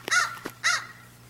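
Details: Crow calling while being fed by a person: two harsh, hoarse caws about half a second apart, with a faint low hum in the background.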